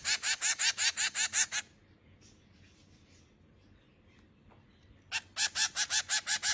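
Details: Young finches give bursts of rasping, buzzy begging notes in fast succession, then fall quiet for several seconds before another rapid harsh series starts.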